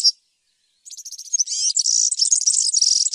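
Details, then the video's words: A brief high note is followed by silence. Then European serin song starts softly with quick ticking notes and builds into a loud, dense, high jingle with sliding tones. "تغريد طائر السمريس/ البسبوس (الزخنين) chant du serin cini, el verdecillo"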